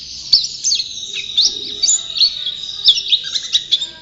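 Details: White-eye (pleci) champion in song: high, thin whistled slurs and twittering phrases, with a few sharp clicks punctuating the quick, varied notes.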